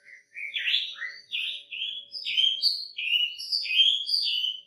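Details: Chinese Hwamei singing a rapid, varied run of clear whistled and slurred phrases, rising and falling, with no pauses and a faint low hum underneath; used as a master song for training other birds.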